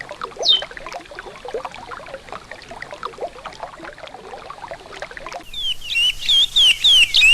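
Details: Bubbling river water fills the first five seconds, then a regional Sergipe-type Chestnut-bellied Seed-Finch (curió) breaks in with loud, clear whistled phrases, sliding up and down in quick succession.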